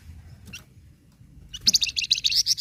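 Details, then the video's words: Short burst of flamboyan bird song, for getting captive birds to sing: a faint note, then a quick, loud series of high, buzzy repeated notes to the end. "Suara Khas Burung Flamboyan Sangat Ampuh Bikin Flamboyan Bunyi"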